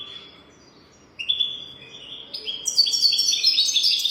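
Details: Golden-throat style European goldfinch song meant to teach young goldfinches: after a quiet second, whistled high notes build into a dense, rapid stream of tinkling twitters and buzzy trills that keeps rising in intensity.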